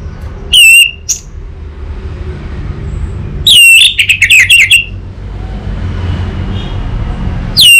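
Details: Untrained orange-headed thrush used as a lure bird: an isolated sharp whistle, long quiet stretch with faint traffic-like rumble, then a burst of rapid, rich warbled notes and one more loud whistle at the end.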